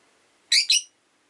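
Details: Rosy-faced lovebird during a relaxed afternoon gives a single loud, shrill two-part squawking chirp, the halves nearly joined, against quiet background.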